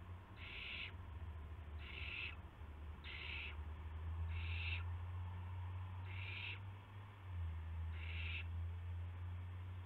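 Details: Owl at a nest during night-time prey deliveries to owlets on 19 March 2016. Six rasping, breathy hisses repeat about every 1.4 seconds, steady and insistent, over a continuous low-frequency hum.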